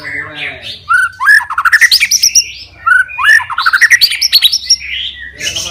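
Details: White-rumped shama fighter singing to anger rivals: two similar phrases, each a low whistle opening into a fast, rising cascade of bright chattering notes.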